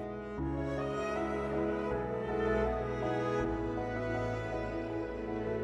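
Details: Slow, sad cello and violin music plays throughout, with no animal calls.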